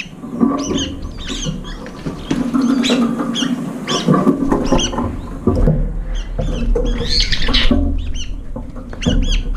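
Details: Competing brown-eared bulbuls gather at a feeder late in the meal, one bite then a scuffle; scattered harsh, squeaky calls repeat throughout over steady low rumbling and knocking.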